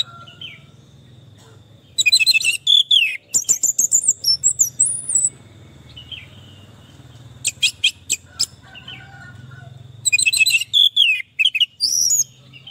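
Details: Orange-headed thrush singing as therapy for a stressed, silent bird: high chirps and twittering bursts separated by pauses, with varied whistled slurs over a steady low hum.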